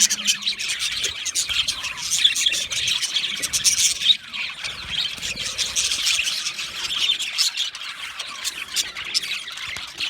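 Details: Many budgerigars in an aviary chirping together, a dense, continuous chatter of high squeaky chirps and warbles with brief louder squawks, no pauses throughout.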